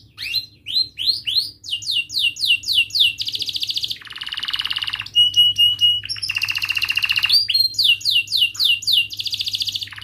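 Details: Canary delivering sharp rolling trills and cuit-cuit chirps meant to coax young canaries into singing: rising slurred notes, pulsed rapid trills, a buzzy rattle, stuttering clicks and renewed chirp runs, with a steady low hum.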